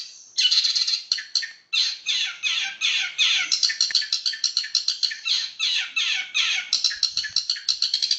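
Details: Long-tailed shrike singing in a fast, tightly packed 'roll speed rapat' style: dense, harsh, scratchy notes pouring out almost without pause, a brief break near the second mark, then rapid repeated chattering rolls to the end.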